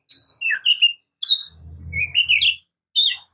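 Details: Oriental magpie-robin (kacer, murai kampung) singing a few clear whistled notes and a rising slurred phrase, over a short low humming noise in the middle.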